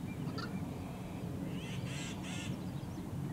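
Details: Yellow-headed blackbird at a Great Salt Lake wetland in summer: after a few faint short notes, two rasping, buzzy bursts sound in quick succession, set against a continuous low rumble.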